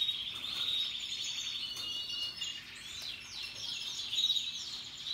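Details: Happy song from Russian yellow and Timbrado canaries mixed with other birds: rapid high trills, then a run of repeated downward-sweeping notes, and a short clear whistle near the end over a continuous warbling chorus.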